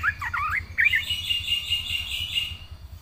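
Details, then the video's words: Yellow-vented bulbul singing energetically in 'full isian' style: a few rich, looping whistled phrases, then a sustained buzzy trill with a soft rumbling background. "burung Trucukan gacor full isian"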